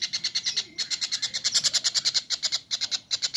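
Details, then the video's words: Kingfisher calling in a cage-bird training recording: a brisk series of harsh, clipped notes repeated about three times per second, briefly pausing before resuming at a steady pace. "masteran burung cekakak"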